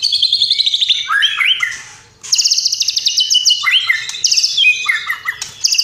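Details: Vigorous white-rumped shama song, murai batu style with rich fill-ins and 'tembakan': rattling high trills alternate with warbled, swooping lower notes, one short pause midway.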